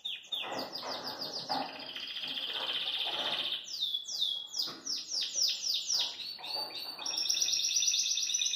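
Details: Caged Belgian canary singing with joy, a long continuous song of rapid trills and rolling high notes that shift in pitch, with fast repeated sweeping phrases and a bright sustained trill toward the end.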